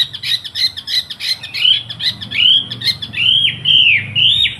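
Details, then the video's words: Caged Wambi in Surabaya giving master song for training trucukan youngsters. Harsh, chattering buzzy notes mixed with loud swooping whistles that dip and rise, delivered nonstop with slight room echo. "MASTERI TRUCUKAN & BURUNG KICAUAN MU DENGAN SUARA BURUNG WAMBI GACOR"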